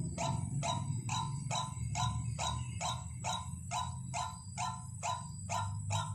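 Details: White-breasted waterhen call recording used as a lure: loud, harsh, croaking notes repeated steadily about twice per second for the whole stretch, over a low continuous hum.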